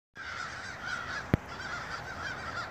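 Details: Huge flock of crows calling together, a steady wash of overlapping harsh caws merging into one continuous roar, fairly distant, with a single sharp click partway through.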